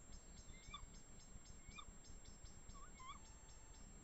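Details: Tawny owls, two birds, calling in forest in the Eifel near Dohr, Germany: quick, bent, yelping notes repeated roughly once a second, with a closer pair at the end, against steady ticking insects and a low background hum.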